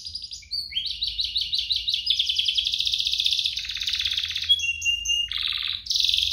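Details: Two canaries in full song, meant as a tutor and lure for young canaries: rapid repeated rising notes give way to a dense buzzing trill, sharp thin whistles, and high rolling phrases at the end.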